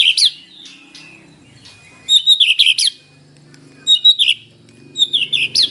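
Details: White-rumped shama in morning isian song, played to coax captive birds into singing; short bursts of bright, twisting high notes separated by pauses, over a faint low hum.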